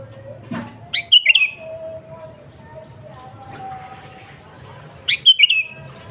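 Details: Sooty-headed bulbul singing vigorously. Two matching phrases about four seconds apart, each a quick rising note then a tumbling trio of warbled notes, over low background rumble.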